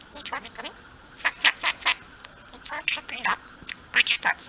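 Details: Pet budgerigar chattering at a hand-held camera in a dark room in the evening, practising speech: quick bursts of high, scratchy, speech-like warbling in short syllables, with brief pauses between phrases.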